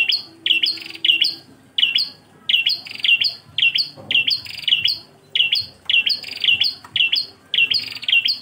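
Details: Engkel-style song of a Bar-winged prinia for tutoring: a steady run of loud, piercing chirps, mostly doubled or tripled, falling bursts coming about twice per second with brief silent gaps, continuing throughout.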